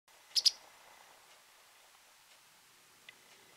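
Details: Japanese wagtail calling often in a garden: a quick pair of sharp, high buzzy notes near the start, then near silence with one faint click later.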